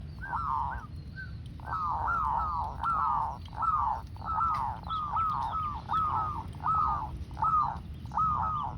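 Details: Zebra dove lure song: a steady run of soft, rolling cooing notes, about thirteen in nine seconds, each with a quick rise and fall, over a low background rumble.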